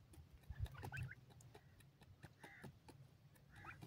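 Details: A female partridge (francolin) with her chicks in Pakistan gives a few soft, short chirping notes a couple of seconds apart, over a steady low rumble with scattered clicks and knocks.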